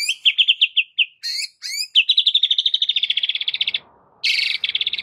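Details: White-rumped shama aggressive fighting song used as a training master: rapid staccato repeated notes, sharp upswept whistles, then a long fast accelerating trill and a final chattering burst.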